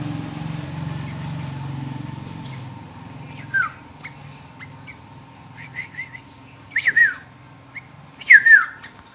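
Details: Hungry sooty-headed bulbul nestling begging: short whistled, slurred chirps in scattered bursts, growing louder and more frequent in the second half, with a fading low engine rumble early on.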